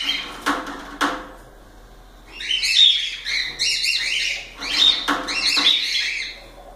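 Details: Caged pet cockatiels singing: two sharp clicks, then a dense, busy stretch of overlapping chirps and whistles rising and falling, with brief quieter breaks.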